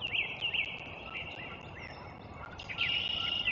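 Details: Bald eagle at the nest, recorded 03.04.2024, giving rapid high chittering notes in quick succession, a few sharp squeals early, then a sustained squealing run near the end, with constant low background noise.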